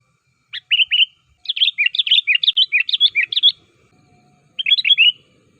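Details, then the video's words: Sooty-headed bulbul call used to lure wild bulbuls and prompt caged ones to answer and sing: short bright whistled phrases of quick rising and falling notes in bursts, with a pause before a final burst, in a quiet background. "Suara Panggilan Burung KUTILANG GACOR Ampuh, Burung Kutilang Lain Auto Nyaut Dan Ikutan Gacor"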